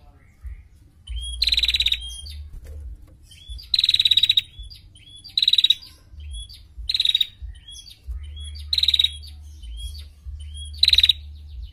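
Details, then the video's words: Repeated close trilling from a female prinia, recorded as a tutor song for training other birds: six short high rattling bursts roughly every two seconds, each led by a brief thin whistle, with a steady low hum underneath. "Prenjak Betina Gacor Untuk Masteran l Ngetirr Rapat"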